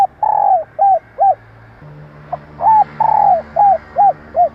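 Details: Rapid series of female spotted dove coos used to draw males, short arched notes alternating with longer falling coos in quick succession, over a low steady hum.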